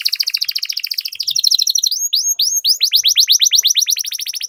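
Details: Canary master song used as a lure to get other canaries singing and rolling: a fast buzzy trill gives way to a quick series of bright, rising-then-falling whistled notes, repeated about eight times a second.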